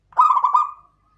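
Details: A single rolling coo from a local klowongan zebra dove. A quick series of throbbing pulses runs into a drawn-out tone that fades, all in under a second, on a clean, quiet background.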